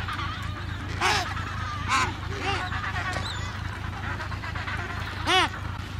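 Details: Breeding Adélie penguins, Paulet Island, Antarctica, early February 2019: several arched, honking brays, loudest near 1, 2 and 5.3 seconds, with fainter neighbouring calls and a constant low hum beneath.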